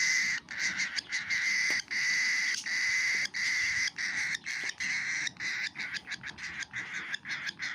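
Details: Cockatiel baby feeding: steady, harsh rasping begging notes in long buzzy pulses about once per second, becoming shorter and choppier toward the end.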